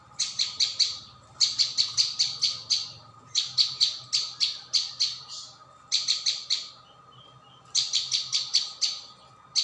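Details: Rapid, high chirping of a prinia on a lure track, long fast bursts of up to eight notes with brief breaks, over a faint low hum.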